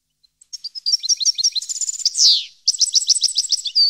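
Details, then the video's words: European goldfinch, Parva 2015, singing two twittering phrases: jingling notes and a trill ending in a loud buzzy slur, then a fresh run of bright chirps. "Goldfinch song 2015/ Canto Jilguero Parva 2015"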